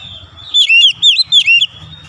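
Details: Oriental magpie-robin giving three quick, bright downslurred whistled notes in succession over a steady high thin tone.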